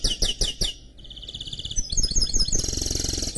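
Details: Canary and goldfinch mule singing: five loud sweeping chirp notes, then a low buzzy trill, rapid twittering, and a high sustained rolling trill to the end.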